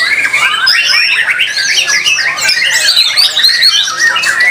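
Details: Singing-contest white-rumped shama: bright, varied whistled phrases and swift chirping runs, densely layered with other competing songbirds over four and a half seconds.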